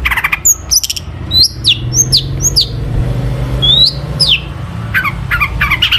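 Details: Long-tailed shrike in full song packed with imitations, to stir other shrikes into singing: mixed high whistles, short downslurred chirps and chatter over steady low background noise.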